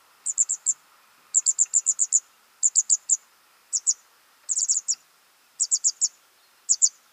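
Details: Jungvögel being fed: bursts of three to six very high, piercing chirps in rapid succession, repeated in irregular groups over several seconds.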